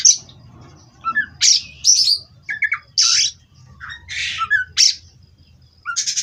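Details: Oriental magpie-robin, captive-bred in Indonesia, delivering loud rasping, buzzy bursts interspersed with short whistled slurs and chattering notes, about one burst every second, over a faint low hum.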